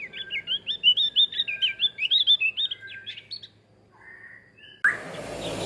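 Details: Male Javan grey-throated white-eye singing a rapid series of bright, high chirped notes for about three and a half seconds, then falling quiet before a sudden burst of broadband noise.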